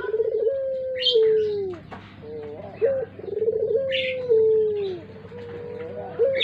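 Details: Puter pelung collared dove kept as a lure bird, giving long rolling coos that start pulsed and slide down into a drawn-out falling tail, two phrases, with sharp chirps of other birds above.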